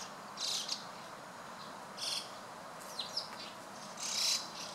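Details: Flock of White-cheeked starlings gathering, 23 June 2016, afternoon: four grating, buzzy call bursts spread over nearly five seconds, with a brief downslurred squeak between them.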